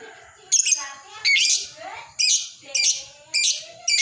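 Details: Lovebird in ngekek chatter, a recording meant for training and luring other lovebirds: five loud, rasping, high bursts arriving roughly every two-thirds of a second, each dense and scratchy, with faint lower tones between.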